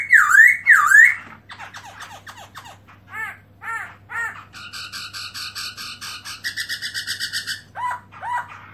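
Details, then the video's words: Two loud V-shaped whistles open this 2017 black-throated laughingthrush (Garrulax chinensis) song during an open-tail display, followed by soft scratchy notes, arched chirps, a buzzy trilled passage and a sustained even rattle of notes ending in two clear arched calls. "Black-throated laughingthrush(Garrulax chinensis): Open-tail And Song Melodious Sound"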